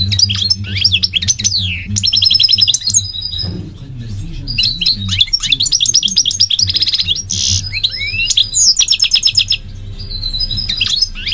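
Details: A migratory goldfinch sings a long, varied stream of high tinkling twitters, rattling trills and downslurred whistles in bursts, with brief pauses and a faint low hum behind.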